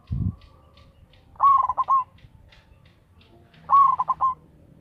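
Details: Local zebra dove used for luring, loud-voiced: two phrases about two and a half seconds apart, each a quick slurred coo followed by clipped notes, after a short low thump at the start.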